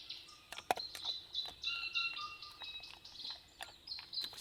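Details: Two tuis exchanging calls at a New Zealand rain forest campsite on a fine day: sharp clicks, high ringing whistles and a few longer level tones, notes coming in quick uneven succession over faint background noise.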